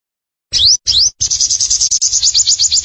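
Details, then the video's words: Energetic sunbird song: two separate high upward-sweeping whistles, then a quick run of repeated high notes and rising slurs over a low rumble of background noise. "Sogon Gacor!! Master, Pikat & Terapi air"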